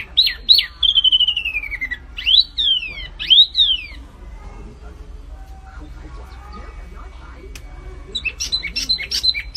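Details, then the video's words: Flamboyan bird opens with loud falling whistles, goes quiet for several seconds, then returns with a burst of sharp high chirps. "SUARA BURUNG MIRIP FLAMBOYAN GACOR"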